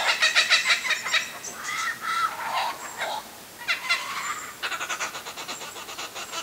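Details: Kookaburras in a raucous chuckling bout: rapid harsh pulses, then drawn-out rising and falling hoots in the middle, and a fresh burst of fast cackling pulses to finish.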